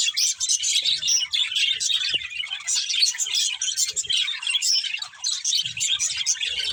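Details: Several budgies twitter nonstop, high rapid chirps and scratchy warbles blending into a busy chatter with a few faint low knocks.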